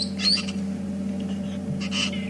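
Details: Parrots flying over on a morning game drive in South Africa give two brief bursts of harsh, shrill squeaks about a second and a half apart, over the steady low hum of an idling vehicle engine.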